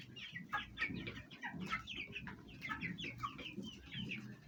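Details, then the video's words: Domestic Fayumi hens and young chicks kept at home; rapid chattering clucks and short peeping notes repeat steadily over a low rumbling background. "Chicken sound effect at home| hen voice | chicks"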